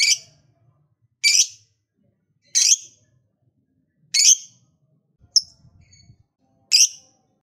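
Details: Lovebird calling with single sharp, high chirps spaced roughly a second or more apart, separated by quiet gaps.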